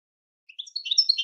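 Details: European goldfinch song used for training birds to sing: a short burst of high chirps and twitters that starts softly and grows louder, cut off mid-phrase.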